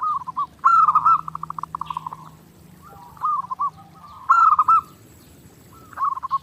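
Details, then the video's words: Zebra dove from a clear master recording for daily training, delivering repeated bursts of quick cooed notes, one run stretching into a fast even stutter, with pauses between phrases. "SUARA PERKUTUT GACOR NONSTOP"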